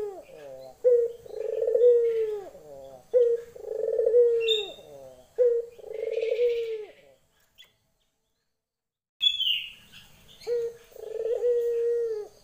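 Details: Female Barbary dove calling for a male in lenjeh fashion: about six rolling coos in a row, each a low purr ending in a downward slur, a silent gap, then two more coos with a faint high chirp.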